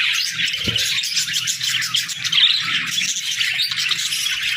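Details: Pet budgies in the morning, a flock chattering together: a dense, continuous wash of high scratchy warbles and chirps with no pauses, plus faint low thumps.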